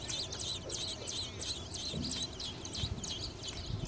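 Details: Robin nestlings in a nest on a light by a garage door beg for their mother's return with food: a rapid run of thin, high chirps, several a second in an overlapping chorus, over a soft low rumble.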